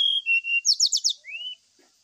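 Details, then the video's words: Lure song of a brown-chested jungle flycatcher for getting a bird to sing while out in the dew: steady high whistles, a fast burst of buzzy descending notes, then one rising slurred whistle. "TERAPI SRDC DAN PANCINGAN SRDC WAKTU DI EMBUNKAN ,JAMIN CEPAT BUNYI NGLUARIN ISIAN"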